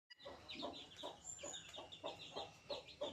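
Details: Baby chicks at five days old, peeping in a rapid run of short notes about three per second, each a brief downward chirp, with several birds overlapping.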